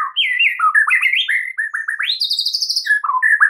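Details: White-rumped shama song used as a training recording for caged birds: rich, varied whistled phrases, rolling chattery notes near two kilohertz, a high sweeping rise into a buzzy trill, then short whistled notes.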